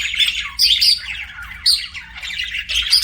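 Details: Pet budgerigars singing, with quick bursts of squeaky, buzzy chirps and harsh chatter arriving in loud pulses about once a second.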